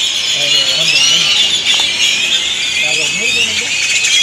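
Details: Many great-tailed grackles making a racket before sleeping at a roost in Granada, Nicaragua; overlapping high squeals and sharp chattering notes blend into a steady din, with faint low human voices in the background.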